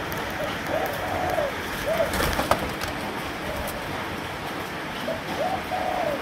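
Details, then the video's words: Three-month-old Malaysian-strain spotted dove cooing: soft, low phrases of a short note followed by a drawn-out coo, heard twice against steady background hiss and a brief clatter midway. "Cu Gáy Malaysia 3 Tháng Tuổi"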